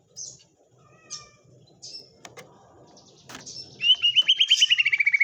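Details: White-rumped shama with kapas tembak song filling: scattered short high whistles and clicks, then a fast ringing trill of about fifteen notes slowly falling in pitch, faint low hum behind.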